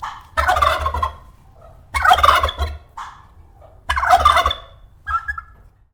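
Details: Turkey gobbling: three loud, rapid, rattling bursts about two seconds apart, each warbling and throaty, followed by a shorter fainter note, with a low steady hum underneath.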